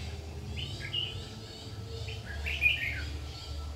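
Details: Red-whiskered bulbul recorded during bird trapping on 7 August 2019: short warbled phrases of quick rising and falling notes, two bursts about a second apart, over a steady low mechanical hum.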